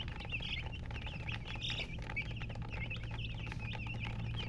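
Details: Colour chickens called murgi chirping in irregular bursts: high peeps, a few longer and wavering, set against a continuous low hum and rumble.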